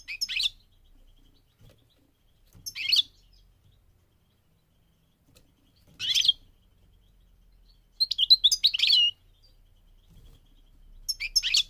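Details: Migrating goldfinch singing: short, high twittering bursts about every three seconds, each a quick jumble of sharp tinny notes, with a longer run of chirps near the end. Otherwise a quiet background.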